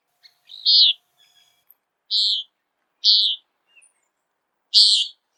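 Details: Common Nighthawk peent call, given while flying in search of insects: four short, sharp, nasal buzzy notes spaced about a second apart, clean and isolated against a quiet background.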